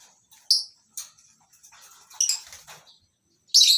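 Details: Lovebirds kept in a mini colony aviary on a breeding farm in the morning give short, shrill, high chirps with gaps between them, followed by a loud screech at the end.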